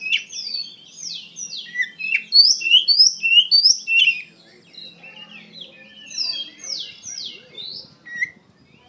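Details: Oriental magpie-robin singing intensely with emotion: rapid, repeated downslurred whistles and chirps in long runs, broken by a brief quieter stretch.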